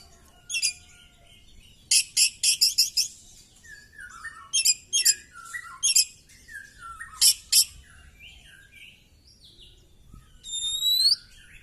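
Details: Oriental magpie-robin singing in a fighting display, tail spread: clusters of loud harsh rasps between soft descending whistles, ending in a clear rising-and-falling whistled note.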